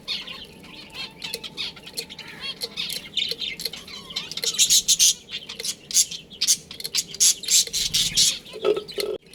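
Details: Budgerigar colony with a breeding pair: soft warbling chatter at first builds into loud, rapid scratchy chirps and squawks, many birds calling over one another, ending with a couple of lower squeaks.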